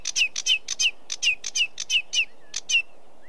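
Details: Sedge warbler song: a quick run of about a dozen short buzzy notes, each ending in a sharp downslurred whistle, delivered at an even, hurried pace against a quiet background.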